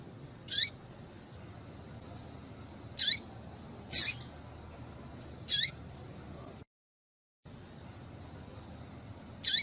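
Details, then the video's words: Female calling to stimulate male rusty-collared seedeaters: high, sharp squeaky notes sliding downward, repeated about every two and a half seconds, with a brief silent gap and constant low hiss behind. "Piado de Fêmea de Papa capim Para Esquentar Papa capim"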